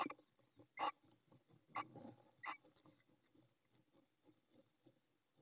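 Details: Female little owl calling from her nest in Ávila, Spain, in April 2024 during egg laying, before the male arrives with food: three short, harsh, raspy calls about a second apart, then quiet with faint soft rustling.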